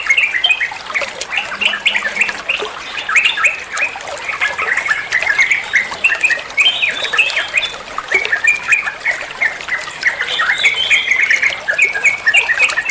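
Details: Trucukan, the sooty-headed bulbul, singing ropel-style masteran material for training other songbirds: dense, chattering bursts of bright clipped notes that flow without break, several voices seeming to overlap.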